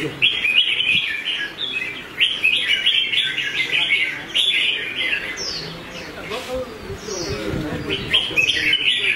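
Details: Red-whiskered bulbul trained for competitive singing delivers long runs of lively whistled notes, pausing midway, then resuming with rising chirps; faint background voices.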